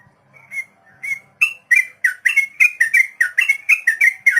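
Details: Long rolling 'ropel' song of a sooty-headed bulbul, used as tutor audio for untamed captive birds: soft opening whistles, then a rapid, evenly spaced series of loud, chirpy, slurred notes.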